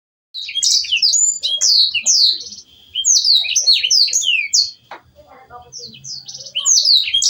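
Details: Canary master song used for training songbirds: phrases of rapid, high downslurred whistles mixed with buzzy trills, broken by short pauses, with faint low clicks and rustles beneath.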